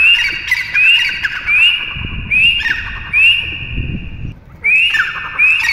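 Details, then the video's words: A pheasant (labelled teetar, possibly silver pheasant or partridge) gives shrill, squeaky rising notes in a loud, rhythmic series, about one every second, over a faint rustling background. "Pheasant | teetar ki awaaz"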